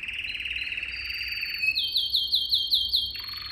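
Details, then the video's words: Canary singing a tutoring song for young birds: a low rolling trill gives way to a steady high whistle, then a quick series of looping chirps and a falling note at the end. "Most powerful song for training Canary"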